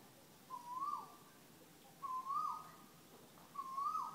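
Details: Unidentified bird in Thailand calling incessantly: a clear whistled note that rises then swoops down, repeated three times at roughly 1.5-second intervals, over a low background hum.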